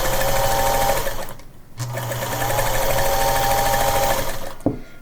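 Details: A sewing machine runs steadily indoors, with a rapid mechanical chatter that pauses briefly and ends with a click.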